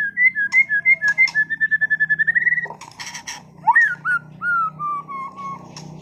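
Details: Caged white-rumped shama of contest standard giving a run of repeated whistled notes, about three per second, then harsh chatter and slurred falling whistles over a low background hum.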